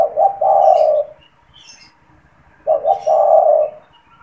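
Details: Caged spotted dove calling to lure and stimulate wild doves: two low hollow coo phrases about two and a half seconds apart, each a short double note then a long held coo, with faint high chirps in between.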